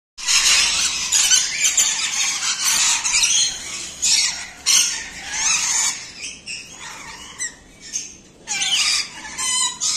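Red-collared lorikeets give harsh, shrill screeches in dense overlapping bursts, with several birds calling at once and brief pauses between volleys.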